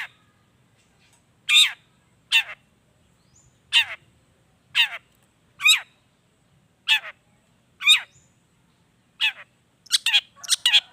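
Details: Long-tailed shrike sounds played as a lure to draw song from shrikes: loud, harsh, downward-sweeping scolding notes repeated roughly once a second, ending in a faster cluster of grating calls.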